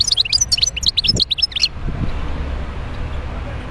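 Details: A wild goldfinch from Médéa pours out a quick, dense burst of twittering, jingling notes lasting under two seconds, then falls silent over a low background hum.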